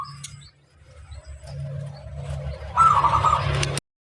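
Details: Local zebra dove master bird in full song: one short trilled cooing phrase near the end over a steady low hum and background noise, with faint coo notes at the start.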